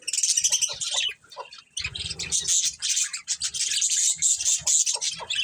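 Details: Budgerigars, a breeding pair in a colony, giving dense high chirps and chattering warbles, rapid and overlapping, with a brief pause just after one second; soft low tapping and patter sounds underneath.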